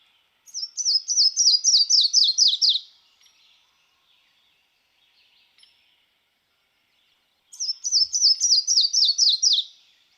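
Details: Yellow-throated Warbler, a common Kentucky spring-migrant canopy warbler, sings twice: a quick series of about eight sweet, high notes sliding steadily downward in pitch, like something falling, over quiet surroundings.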